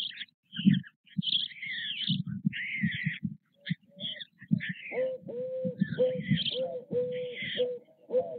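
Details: Begging from white stork nestlings being fed by their parents at a nest at Nové Mlýny on 6 May 2024. Choppy low pulsing and raspy high squeals fill the first half; later a steady, evenly pitched repeated hooting note joins in.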